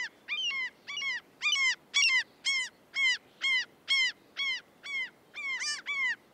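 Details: A common gull in the UK gives a run of high, squealing mewing calls, each arched and falling at the end, repeated about twice a second over a faint background hiss.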